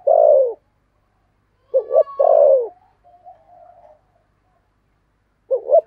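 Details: Lure spotted dove of the 'thổ' voice type calling. A long, falling coo is followed by a double note and another sliding coo, then a quiet, thin, wavering note. A final double note begins at the end.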